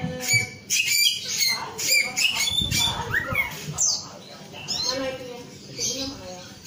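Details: Male Chinese Hwamei singing a varied medley of short high whistles, slurred upward sweeps and rough chattering notes in quick, irregular bursts.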